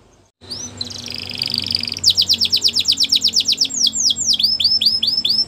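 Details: Belgian canary giving a training song: after a brief pause, a buzzy high trill leads into rapid falling whistled notes and then looping swept syllables, over a faint low hum.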